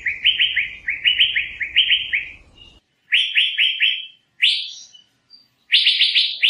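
Asian fairy-bluebird giving loud, liquid upslurred whistles in quick runs of three or four, repeated in bursts, over a faint low rumble at first.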